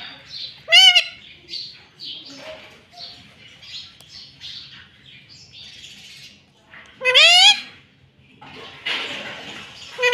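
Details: Green ringneck parakeet kept as a talking pet, said to say "mummy". Two sharp, loud, harmonic rising-falling calls stand out about six seconds apart, with many quieter chattering and raspy murmurs around them and a faint low hum.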